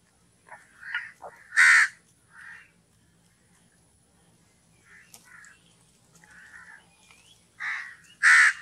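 A crow gives harsh, raspy caws, two loud ones about six seconds apart with softer croaks between, over a quiet background.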